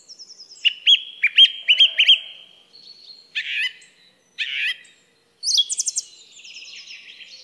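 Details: Song thrush song. A bright whistled note is repeated four times in quick succession, followed by a thin held tone, then harsher chattering phrases and a final rapid, high twittering burst. The background is clean and quiet.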